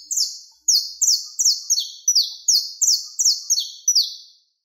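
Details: Saffron finch singing a contest-style song used for training birds: a fast, even series of buzzy, high-pitched descending phrases, each about a third of a second apart.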